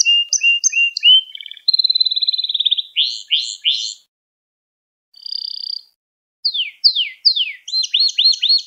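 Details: Song of a Gloster canary, played to rouse other canaries: short chirps, a steady trill, then loud downslurred notes, a brief silence and a rapid series of sweeping whistles.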